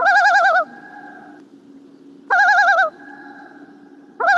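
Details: A Common Loon's tremolo, an alarm given when a predator or humans are too close: three short bursts of rapid, wavering, laughing quavers, each about half a second long and roughly two seconds apart, over a faint low hum.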